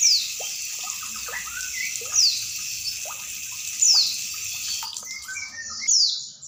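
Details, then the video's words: Female Oriental white-eye giving four sharp, high whistled notes that glide downward, spaced about one and a half to two seconds apart, with running and dripping water throughout. Aimed at reviving sluggish caged birds. "Smartmastering gemercik air+ cing betina"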